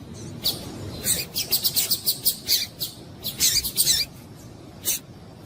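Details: A female double-collared seedeater's excited calling, meant to stimulate males: fast series of bright, high, twittering chips in bursts, then a pause and a final single chip.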